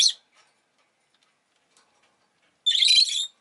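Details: Pet rosy-faced lovebird giving a short shrill chirp, then after a pause a longer, buzzy, rasping screech lasting over half a second.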